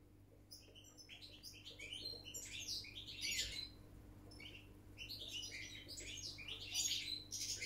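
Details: Wild European goldfinch singing a rapid, twittering song of high chirps, trills and buzzy notes in bursts, with a faint steady low hum underneath.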